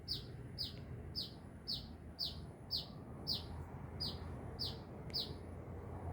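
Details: High, crisp, descending chirps from an actively singing sunbird near Binjai, evenly repeated roughly every half second, a faint click or two behind them.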